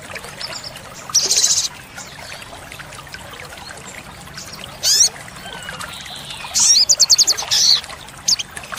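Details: Olive-backed sunbird song from a tutoring recording for cage birds: isolated high buzzy bursts separated by long gaps, then a short quick ticking trill and a final buzz, with a steady trickle of water throughout.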